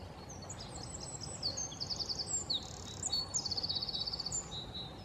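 A Eurasian wren sings a loud, very high, rapid outpouring of notes, including a fast rattling trill near the end, over a low steady background rumble.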